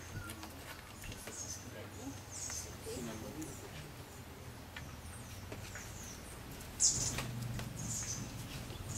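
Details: Cinnamon Flycatcher (subspecies pyrrhopterus), Bellavista Cloud Forest Reserve, Ecuador, May 2012: thin, very high, short call notes scattered every second or so, over a low steady rumble and possible faint voices.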